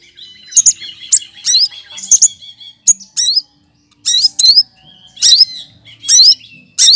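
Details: Green cucak kinoy leafbird, a mimic kept as a song tutor, delivering sharp high chirps and upward-swooping whistles in separate bursts about every half second to second, one sustained thin whistle early on.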